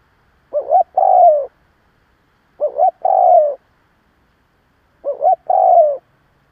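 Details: Spotted dove kept as a lure bird, cooing strongly to provoke other doves: three phrases about two seconds apart, each a short hooked double note followed by a long, mellow, slightly falling coo, with a silent background.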